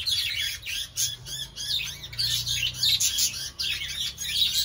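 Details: Several budgerigars (budgies, Melopsittacus undulatus) in a cage chatter together in a busy stream of high, scratchy chirps and warbles.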